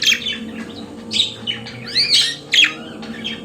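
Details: Captive budgerigars chirping: a few short squeaky notes and a rising-falling warble, separated by brief pauses, with a low constant hum behind.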